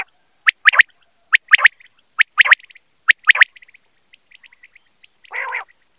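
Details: Quail call recorded for hunting: four crisp triple-note bursts spaced about a second apart, followed by soft scattered ticks and a brief buzzy harmonic note near the end.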